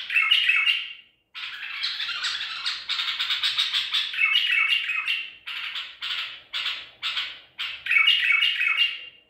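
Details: Wild-caught White-eared bulbul recorded 14 April 2021 sings a loud, scratchy, chattering stream of harsh notes, about three per second, broken by brief whistled phrases.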